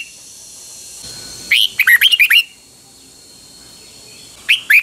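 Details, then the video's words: Pa La-u red-whiskered bulbul, kept as a cage bird in Thailand, singing phleng boen: a lively run of five or six bright, bouncing whistled notes, silence, then another phrase starting, over low constant hiss. "เสียงนกกรงหัวจุก นกป่าละอู เพลงเบิ้ล2 เพลงเบิ้ล3"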